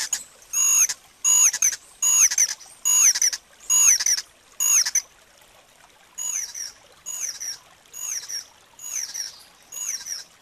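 White-whiskered puffbird giving a series of thin, very high, downslurred whistles, about one a second, the later notes softer.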